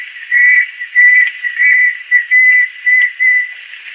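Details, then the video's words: Adult female banded kingfisher singing a steady series of clear, level whistled notes, about six in four seconds, each note short and evenly spaced with brief pauses between. "Banded Kingfisher-Song Bird."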